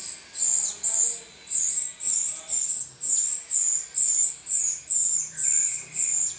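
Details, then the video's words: Model song of a rio-rio for teaching songbirds: high, sharp, slurred whistles delivered about twice a second in an even chain, with a soft lower whistle near the end. "suara burung rio-rio"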